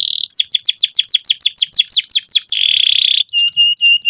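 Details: Canary in strong song, meant to start another bird singing. Falling swept notes repeat quickly for over two seconds, then a steady buzzy roll follows, then bright repeated metallic notes.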